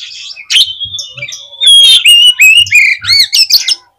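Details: Oriental magpie-robin (kacer) song played to stir up other magpie-robins: a long sustained whistle, then a rush of loud, varied, sliding whistles and sharp chirps, high-pitched and rapid.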